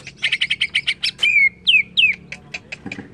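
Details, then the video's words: Greater green leafbird, song as a provoking lure: a fast rattle of harsh chips, then three long falling whistles and a few spaced sharp notes. "PANCING CUCAK IJO JADI EMOSI"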